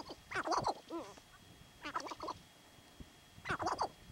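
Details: Sharp-tailed grouse, believed territorial, in Theodore Roosevelt National Park North Unit, 2017, give three short bursts of nasal, wavering cackles about every one and a half seconds, with a quieter whining note between.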